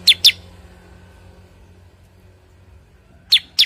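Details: Cucak kurincang bulbul, known locally as kutilingang sutra or kuniran, calling in two quick double chirps, each pair of bright, high, slightly descending notes, separated by about three seconds of near silence.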